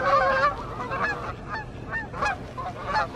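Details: Canada geese flying in the evening, summer or fall 2020, giving loud, nasal honks in a quick overlapping series, several birds calling at once, with a faint low hum underneath.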